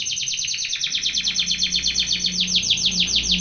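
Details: Canary training song heard as a sustained high trill of quick repeated notes that slows a little toward the end. A faint low hum runs underneath.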